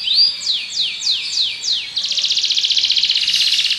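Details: Belgian canary giving five slow, sweeping falling whistles, then switching to a rapid, dense rattling trill that continues to the end.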